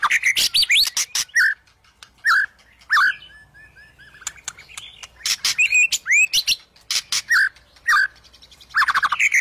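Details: White-rumped shama singing, a recording meant to stir shamas that have stopped or are reluctant to sing: loud, varied phrases of slurred whistles mixed with sharp clicks and fast chattering bursts, with brief pauses between phrases.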